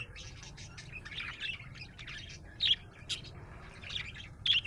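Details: A happy pet budgie gives soft chattering warbles broken by sharp, squeaky high chirps about every two seconds, with a steady low hum beneath.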